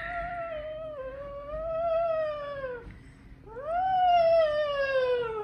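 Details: A pet Amazon parrot, described as crying because it does not want a bath, gives two long, tonal, crying wails: the first wavers and falls, the second rises sharply then slides down, like a sobbing moan.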